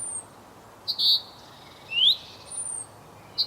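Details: Male common chaffinch calling to his mate: a few sharp, high notes and one rising, upslurred whistle, with quiet pauses between them.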